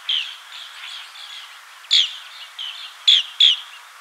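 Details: Green bee-eater: one crisp chirp, a stretch of soft trilled murmuring, then three loud, sharp chirps close together near the end.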